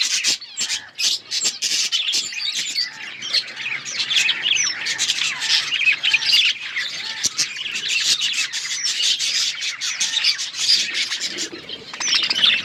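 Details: Chirping from a budgerigar flock: a steady, crowded wall of high warbles, squawks and clicks without a break, with a faint low hum underneath.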